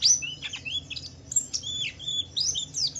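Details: A Javan white-eye of the Wiklus Wiksar type sings to provoke other white-eyes: high, sliding whistles and quick chirps in short, bright phrases with brief pauses.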